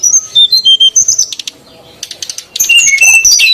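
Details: Female and male SRDC bird lure recording to draw wild birds: clear high whistled notes in a quick series, a quiet pause of about a second, then a renewed tangle of high chirps and whistles.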